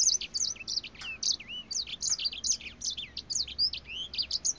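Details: Grey finch, a breeding bird singing close up, shaking its head: rapid run of high, sweet chirps and slurred whistled notes, tightly packed and continuous throughout, some notes rising or falling in pitch.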